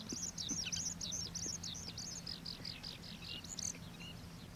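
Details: Oriental pratincole calling at Xinyuan, Taiwan: a quick series of shrill, clipped, tern-like notes in rapid succession, some slightly downslurred, loud and close, with a faint low hum beneath.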